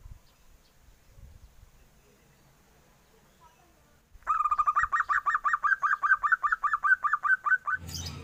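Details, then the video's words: Young zebra dove with a duckling-like call. Soft thumps and low rustling come first, then a burst of about eighteen quick, even peeps. A sharp noise ends the passage. "SUARA PERKUTUT MUDA, ombyokan ini bikin kaget, berasa suara meri"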